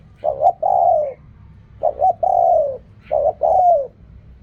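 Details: Spotted dove in Thailand cooing in the called-word style: three phrases, each two short clipped coos followed by a long drawn falling coo, spaced about a second and a half apart, over a steady low background rumble.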